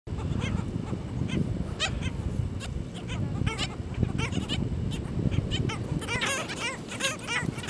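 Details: Black skimmers at the nest with chicks on St. Pete Beach, Florida, give short, nasal, barking yelps, many birds calling at once in quick overlapping bursts, over a steady low rumble of wind and surf.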